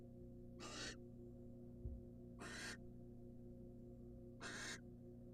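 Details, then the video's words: Wild female barn owl in a monitored nest box, receiving a rat from the male. Three harsh, hissing screeches of about a third of a second each, spaced roughly two seconds apart, over a steady low hum. "Watch A Female Barn Owl Get A Rat From The Male And Be So Happy She Swallows It After 6 Minutes!"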